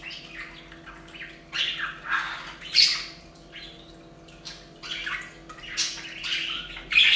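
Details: Several budgies bathing at a bird fountain chatter in choppy scratchy chirps and squawks, loud bursts coming irregularly over a faint steady hum.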